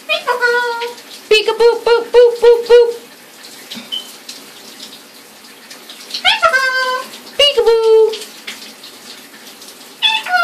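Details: A male Eclectus parrot taps his own beak with his foot and says "boop" over and over, plus "peekaboo", in high, voice-like bursts with sharp tapping clicks between phrases in a quiet indoor setting.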